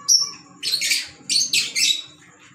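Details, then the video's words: Green Fischer's lovebirds, African lovebirds, giving a short high squeak followed by three loud, harsh, buzzy chirps in quick succession, over a faint low background hum. "Fisher Love Birds Sound | African Lovebirds | Green Fisher Love birds Voice"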